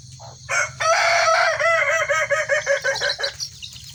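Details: Kukuak Balenggek rooster, one of a red and a yellow bird tested together in one cage in a crowing contest: a brief opening note, then a loud sustained harmonic crow breaking into about eight stepped, pulsing syllables that fade away, over steady insect hum.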